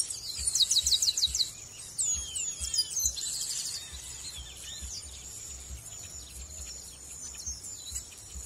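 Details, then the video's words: Chestnut-capped blackbird from Brazil, singing a rapid run of high, repeated chirping notes, about eight in quick succession, then looser scattered chirps over a steady high-pitched whine and soft low thumps. "Brazilian birds sounds - Amazon birds - Garibaldi Bird - Chrysomus ruficapillus"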